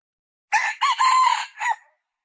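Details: A single call from a female red junglefowl. A short rough note leads into a longer sustained note, which ends in a brief clipped syllable. The recording is clean, with no background noise.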